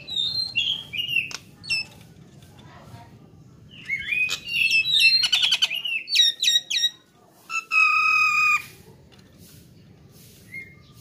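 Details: Nias hill myna song used as a training recording for songbirds: a long varied run of whistles, sharp clicks, buzzy rattles and a sustained nasal note, loud and piercing, with brief quiet gaps.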